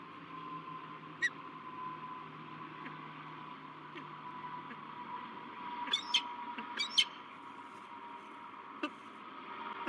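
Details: Peregrine falcon pair, a male and a newly arrived female meeting at a nest in La Crescent, USA, 16 March 2023: a few isolated sharp calls, then a short cluster of harsh notes mid-recording, with background hum.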